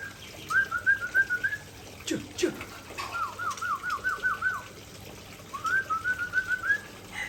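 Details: Aceh white-rumped shama pouring out its favourite fill-in material: three bright whistled trills, each a rapid wavering run of about ten notes, the middle one lower and fuller, with a brief clatter between phrases.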